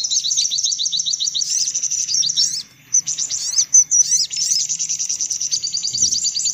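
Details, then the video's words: Sunbird lure sound for attracting sunbirds: bright, very high, rapid-fire chirping in fast rows, broken by a brief pause midway and then resuming as lively twittering. "Suara Pikat Burung Kolibri Paling Manjur"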